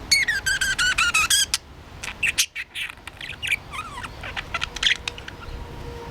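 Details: Pet budgerigar playing with its homemade toy: a rapid burst of bright, harmonic chirps in the first second and a half, then a varied, scratchy warbling chatter with clicks and short rising notes.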